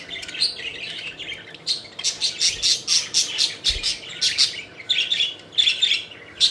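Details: Playful pet budgies chirping, a rapid run of harsh, clipped squawks and chirps repeated about once a second, with a couple of faint low knocks.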